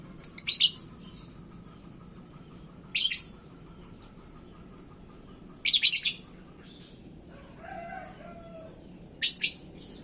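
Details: Caged lovebird in hot singing form, said to rile other birds: short clusters of shrill, rapid chirps separated by pauses of two to three seconds, over a quiet background hum.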